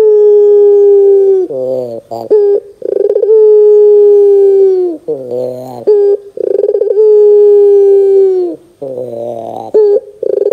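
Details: Repeated Barbary dove coos in the dor style, used to make young doves answer: three long, smooth, falling notes, each starting with a rolling trill and separated by lower buzzy notes and short hiccups.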